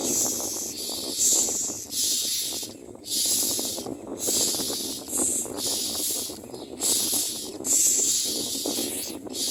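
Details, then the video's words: Common myna baby birds screaming for food as they are fed: continuous harsh, hissing screams in pulses of about a second, broken by short pauses, over constant rustling and shuffling. "Common myna Baby Birds feed in their mouths and scream for food"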